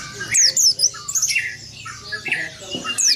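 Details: Oriental white-eye with an open-beaked rolling song that provokes rivals: scattered bursts of thin, descending high whistles, with harsher squawky notes and background chirping from other birds.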